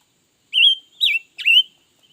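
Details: Red-billed leiothrix, described as singing all day: three loud, clear slurred whistles, each about a quarter second long and wavering up and down, given in quick succession with short gaps. No background noise.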